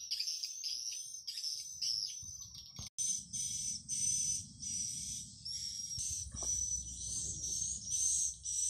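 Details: Amplified calling sound for luring swiftlets: pulsing high, shrill chirps in regular groups with a thin sustained whistle tone, one brief dropout near the middle, and faint low rumble.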